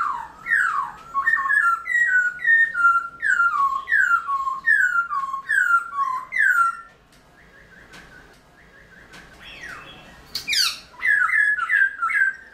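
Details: Caged Black-throated laughingthrush (Garrulax chinensis) singing in the early morning during training, played to spur young wild-caught laughingthrushes into song; loud, clear whistled notes sliding downward, roughly two per second, a short lull, then quicker whistles resume.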